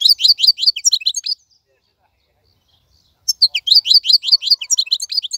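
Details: Caged European goldfinch, caught wild, singing without stopping: a quick run of high, tinkling chirped notes, then about two seconds of silence, then a longer burst of the same rapid twittering.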